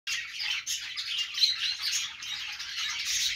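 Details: Budgies singing on a perch: a dense, continuous chattering warble of high chirps and squawky notes, with no pauses, over a quiet background.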